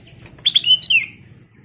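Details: Ruby-throated bulbul (kutilang emas) sings a single quick phrase of bright whistled notes that ends in a slurred descending whistle, over a low background rumble.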